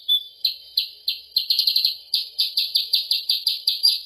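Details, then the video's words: Sooty-headed bulbul lure sound, called kutilang sutra or percang, used to attract the bird: a fast run of sharp, bright chirps, about a dozen in four seconds, bunching into a quicker burst near the middle, with no other sounds. "suara pikat mp3 untuk burung kutilang sutra/percang"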